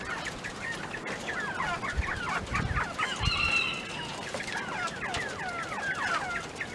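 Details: Penned mountain quail feeding on treats, giving a busy run of short, downslurred chirping notes. A brief steady whistle-like tone sounds midway, and soft rustling and thumps come from the pen.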